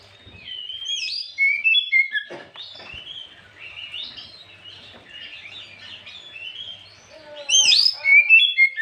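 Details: Oriental magpie-robin lure song, sung in the afternoon to provoke rival birds. A rapid run of high, varied whistles and chirps rises to a loud burst of sharp, sweeping notes near the end.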